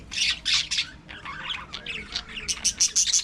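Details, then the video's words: Budgerigars kept in a colony aviary twitter and chirp in quick, scratchy bursts, rising into a string of sharp high ticks near the end. "budgie parakeet talking"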